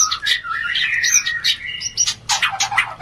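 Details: Oriental magpie-robin mating call for stirring breeding desire: dense, rich warbling of mixed whistles and rasping chirps, varied and nearly unbroken, with a harsher burst of notes near the end.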